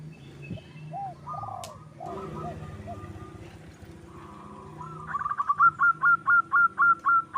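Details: Wild local zebra dove used for luring: faint low coos and murmurs at first, then a crisp run of about ten clear, evenly spaced staccato coos, each sharply rising then falling.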